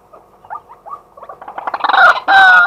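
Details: Daytime calling by a male white-breasted waterhen, captured live on a fixed camera: soft, quick chuckling notes build steadily in volume into loud, harsh, rasping calls at the end.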